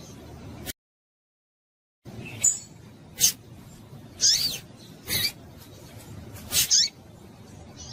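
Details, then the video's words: Female double-collared seedeater calling to stir up males so they sing: a series of sharp, high, brief chips and short twittering bursts at irregular intervals, with a silent gap early on. "Piado de Fêmea de Papa capim para Esquentar Papacapim"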